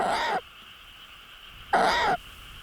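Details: A tawny owl pair nesting in a century-old chestnut tree in a Bonghwa forest, Korea, at night during breeding season: the female gives two hoarse, wheezy screeches, urging the male to bring prey he has caught, over a faint high hum.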